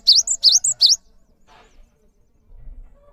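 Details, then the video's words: Cinereous tit singing steadily, meant as a training recording for other songbirds: three quick two-note phrases, each a sharp rising whistle followed by a higher thin note, delivered within a second, then quiet. "GELATIK BATU GACOR ANTENG UNTUK MASTERAN"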